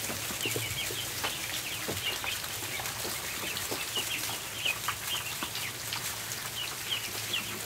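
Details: Feeding-time ducklings on a barn floor keep up a steady stream of high, thin peeps, a few bright upslurred notes rising above frequent sharp clicks.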